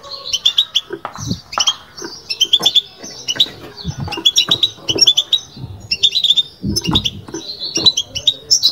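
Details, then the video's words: Sustained batbata from a caged European goldfinch: fast chattering high twitters in repeated phrases about every second, with dull low thuds from the surroundings. "بتبتة لو مغناش معها"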